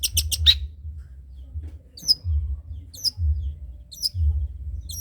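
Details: Trotol long-tailed shrike recorded as a tutor song. A quick triple of sharp clicks opens, then thin high whistled notes follow, spaced roughly one second apart, with a low thumping hum beneath.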